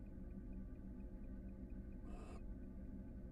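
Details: Barn owl pair on a Florida nest-box camera preparing for a second brood, female inside the box and male roosting nearby; one short, breathy, noisy hiss over a steady low electrical hum.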